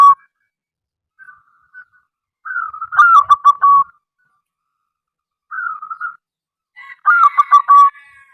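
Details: Zebra dove of a local strain, singing often and used to coax other zebra doves into calling. Short soft coos lead into two stuttered, rolling coo phrases, with a brief smooth coo between them.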